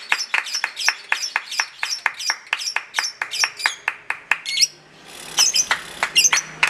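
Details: Lovebird competing in a singing contest, long ngekek chatter: regular sharp chip notes about three per second, then a brief pause and a burst of higher squeaky twittering.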